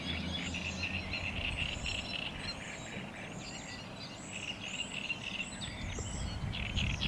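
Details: A Eurasian reed warbler sings at Lake Czerniakowskie on 24 May 2021. Jerky, rhythmic chatter of harsh and slightly whistled notes, several phrases repeated two or three times, with a low steady rumble beneath.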